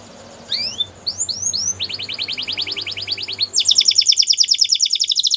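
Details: Belgian canary singing for canary training: a few rising swept whistles, then a steady rapid trill of short notes, switching to a higher, louder trill; a low background hum runs throughout.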